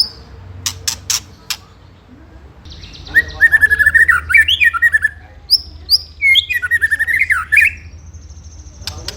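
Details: Ketrekan-style white-rumped shama song used as a lure for rival birds: a few clicks, then two bursts of rapid chattering, warbled notes separated by high whistles.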